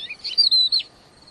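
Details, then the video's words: Wild crested lark in full, vigorous song: a short run of high whistled notes, a sweet rising slur followed by a sustained wavering whistle and a final downward flick, with faint background hiss. "crested lark liar gacor"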